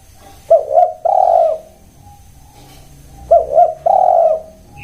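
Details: Spotted dove repeating its cooing phrase twice, about three seconds apart, each made of two short, bent coos and one long, level, mellow note, over a soft hum.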